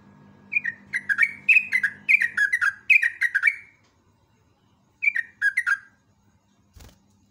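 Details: Morning lure song of a yellow-vented bulbul, a long rapid roll: quick chains of liquid, downward-slurred whistled notes in two bursts, the first about three seconds, the second shorter after a pause, then a single knock.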